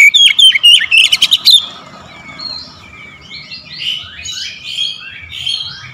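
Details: Vigorous gacor singing from an oriental magpie-robin that starts after a single lure though usually lazy: a brisk run of sharp, slurred whistles for about one and a half seconds, followed by softer, distant chattering birdsong.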